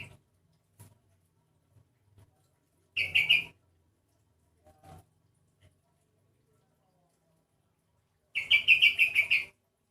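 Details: Sooty-headed bulbul, a single bird described as sounding unusual and unlike typical individuals of its kind. It gives two short bursts of rapid, scratchy repeated notes, a brief one early and a longer chattering run near the end, with quiet gaps between.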